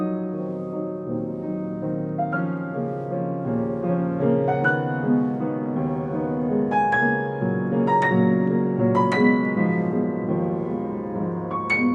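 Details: Solo piano music plays throughout, with sustained chords and a slow melody, and no animal sounds are heard.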